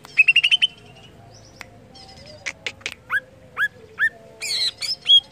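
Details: Greater green leafbird song, played to stimulate other leafbirds to sing: a quick burst of bright chirps near the start, a short pause, then scattered sharp, downslurred notes and a final cluster of varied tweets.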